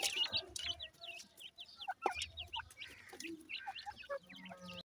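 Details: Francolin chicks feeding, with rapid, thin, high cheeps repeated in loose series, a few lower clucking notes and some soft knocks underneath.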